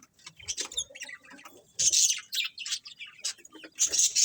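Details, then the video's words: Colourful budgerigars chirping in a colony: loud high chattering chirps and thin whistles in overlapping bursts, building in strength toward the end. "Cute Colourful Budgies Chirping Sounds | Budgies Colony"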